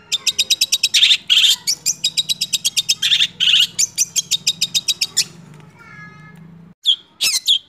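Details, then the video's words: Caged long-tailed shrike, six months old, delivers bursts of fast high chips broken by short gaps and a few louder harsh notes, then falls quiet before two last sharp calls. "CENDET Usia 6 Bulan Berkualitas Roll Speed + Nembak"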